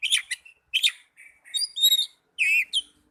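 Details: Young Oriental magpie-robin in a short burst of song: harsh chirps, a sweet whistled phrase and a wavering, warbled note, tightly packed over about three seconds.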